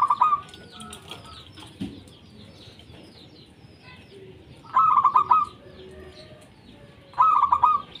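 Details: Zebra dove, local Indonesian bird, song played to stir reluctant doves: three loud bursts of quick, tumbling cooing notes a few seconds apart, separated by quiet stretches with faint distant calls.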